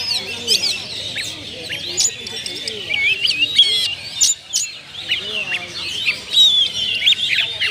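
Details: Oriental magpie-robin (kacer) kept bird singing to lure other birds, showing its full set of fills: vigorous high whistles, zigzag chirps and sharp clicks in energetic bursts.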